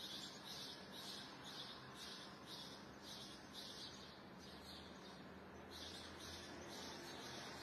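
A goldfinch gives quick, high twittering notes, about two a second, in a steady run. A low background hum runs underneath.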